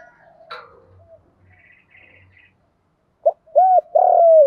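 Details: Vietnamese spotted dove decoy call, 'giọng Đồng' voice, played to attract wild birds; faint mixed rustles and chirps open, then a clipped note, an arched coo and a long sustained coo close it.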